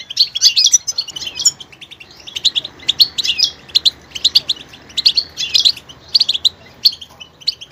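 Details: A goldfinch delivers long, varied singing: an opening burst of jangling twitter, then steady clusters of high, sharp chirps and tinkling phrases with small gaps between them.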